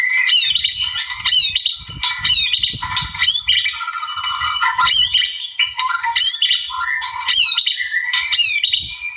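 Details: Wild white-rumped shama (murai alam) in full song meant to draw a rival, a dense nonstop medley of rich whistles, slurred sweeps and squeaky trills, varied phrases crowding one another.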